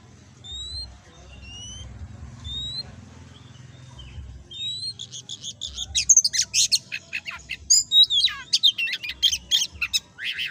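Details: Oriental magpie-robin in loud, energetic 'gacor ngobra' song used as a tutor recording for kacer birds: faint thin rising whistles over a low hum at first, then a dense burst of varied sharp chirps, trills and whistled notes.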